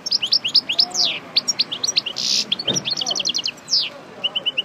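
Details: Just-moulted European goldfinch, parva subspecies, used as a breeding bird, rehearsing song with fast tinkling notes, buzzy rasps and a short harsh burst midway, ending in a few soft repeated chips.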